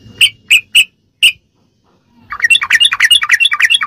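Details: Sooty-headed bulbul song used to tutor captive birds: four separate ringing whistled notes, a pause, then a fast tumbling run of bubbly, warbled notes.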